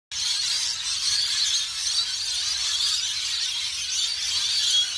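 Rainbow lorikeets make a constant, harsh, high-pitched screeching chatter that runs unbroken and shrill for the whole five seconds.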